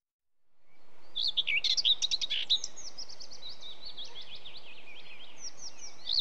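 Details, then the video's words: A Common whitethroat sings a quick, scratchy, jumbled warble of high notes, followed by a run of rapid chattering chirps, over a steady low rumble of wind. "Whitethroat, Song"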